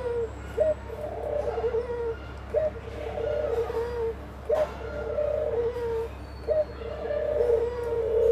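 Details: A dove singing alongside its family: soft low cooing phrases, each opening with a short lifted note and then a long steady hum, repeated about every two seconds over a constant low hum.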